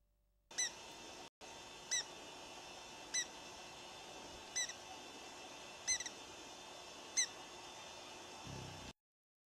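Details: Brazilian ruby displaying its fiery throat at RPPN Santuário Rã-bugio, Guaramirim, Santa Catarina, Brazil, gives sharp, high, squeaky chips, one every second or two, about seven in all, over a steady background hiss.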